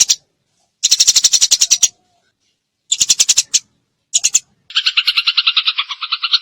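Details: Eurasian tree sparrow 'tembakan' song for masteran: short bursts of very rapid, high, clicking chirps broken by pauses, ending in a longer, slightly lower, chattering trill.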